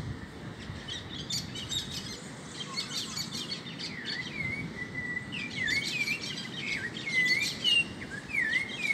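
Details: Great kiskadee feeding on insects in a home backyard alongside other wild birds; clear hooked whistled notes recur in irregular bursts over a busy chorus of high chirping birds and steady background hiss.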